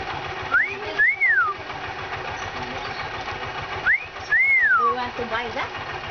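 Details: Mynah in Palawan, Philippines, recorded in 2013: a clear whistled call, a short rising note followed by a longer arched slurred whistle, given twice about three seconds apart, over steady engine-like hum and faint voices.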